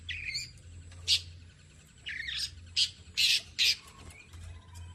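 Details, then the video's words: Long-tailed shrike, tame and in full voice, delivering mimicked phrases: an early wavering whistle, a sharp isolated note, then a cluster of three to four loud, scratchy high bursts over faint low background hum. "BURUNG CENDET JINAK GACOR JUARA SUARA FULL ISIAN NEMBAK"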